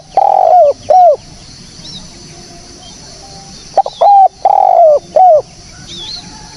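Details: Spotted dove cooing, a clear recording for luring and trapping birds. Two phrases of low coos with a long wavering note at their centre; faint high whistles from another bird sound in the pauses.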